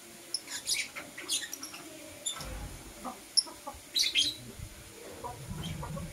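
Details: Softer, more distant high chirps and twitters from blue opaline and parblue euwing opaline lovebirds in the morning, loosely strung together, with steady low background rumble.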